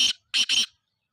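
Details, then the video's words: Black francolin calling in the evening: three harsh, grating bursts, a short first note then a pause and two close notes joined together, all within about 0.7 seconds, with no other clear sounds. "kala tater کالے تیتر کی خوبصورت آواز"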